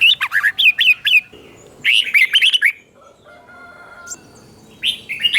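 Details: Captive red-whiskered bulbul training song from Thailand, doubled phrasing: short bursts of warbled, slurred notes separated by pauses with faint background hiss and a clear tonal whistle between bursts.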